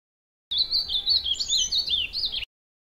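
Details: Ultramarine grosbeak (Cyanoloxia brissonii) singing in the wild: one rich, warbled phrase of about two seconds, high notes slurring up and down in a quick, tumbling run, over a faint low background hum.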